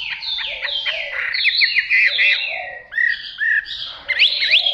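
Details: Fighting-type Chinese hwamei practising its singing: loud, varied whistled phrases swooping and sliding, with rising and falling notes in quick runs, over a lower, softer cooing sound in the background.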